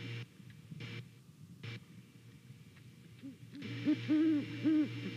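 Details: Great Horned Owls, a pair visiting a Savannah nest on a November morning and hooting to each other; mostly low hum, then three or four deep, level hoots in the final second and a half.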